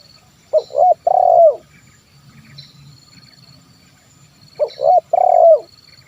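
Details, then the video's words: Zebra dove calling to lure wild birds: two matching phrases about four seconds apart, each of stuttered notes and a long trilled coo with a falling end, faint chirps behind. "SUARA TERKUKUR KUK 1 MEMANGGIL BURUNG LIAR"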